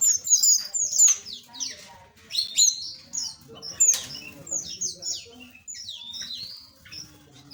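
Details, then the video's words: High, thin chirps and sharp downslurred whistles from a group of small aviary birds come in quick clusters separated by short pauses. "Relaksasi Suara Burung Asli - Jenis Burung Aviary Kecil"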